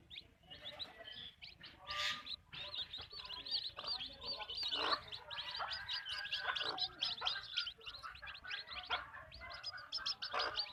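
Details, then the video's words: Hens on a backyard chicken farm produce a crowded chorus of clucks and high chirps, with occasional louder broadband squawks breaking through. "Backyard chicken farm | chickens clucking | hens clucking"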